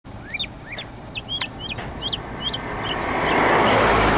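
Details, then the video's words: Mockingbird in long song: a series of short upswept whistled notes, each phrase repeated two or three times, roughly three per second, before a rising hiss of noise swamps the end. "The Long Song of the Mockingbird"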